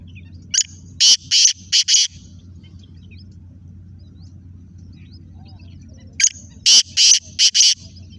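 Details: Black francolin (Kala Teetar) calling: two bursts of harsh, grating, high notes, about five or six per burst in a broken rhythm, roughly five seconds apart, over a steady low hum.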